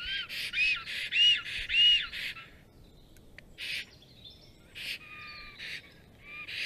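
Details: Black storks at their nest on 30 April 2022 around 12:34 PM, greeting as the male returns while a strange female arrives and is driven out. About five quick harsh, squeaky bursts with a whistled overtone, then scattered calls after a pause.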